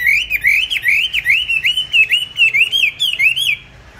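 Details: Kept songbird bought on 19 May 2020 pours out a steady string of about a dozen bright, wavering whistled notes in quick rhythm, then falls silent.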